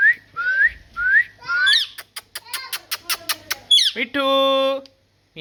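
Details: Parrot presented as talking: three rising whistles, a squawk, a rattle of rapid clicks, another squawk, then a long buzzy nasal note rich in harmonics.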